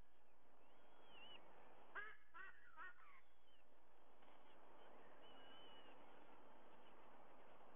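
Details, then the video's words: Sea eagle, white-bellied, calling at its Sydney nest on 30 September 2022 at 05:44: a brief series of three or four faint, clipped honks, with distant thin whistles from other birds and a low steady hum. "Sydney White-Bellied Sea-Eagle"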